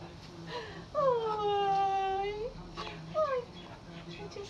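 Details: Pet macaw greeting its owner after five days apart: a long, whining tonal note that swoops up and then slowly sags over about a second and a half, then a short falling note, with quiet human speech indoors.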